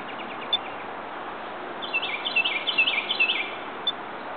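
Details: Rose-breasted grosbeak singing at Ellicott City, Maryland, on 5 May 2011; a fast, rich warbled phrase of about a dozen quick rising and falling whistled notes lasting under two seconds, with a few isolated high ticks before and after.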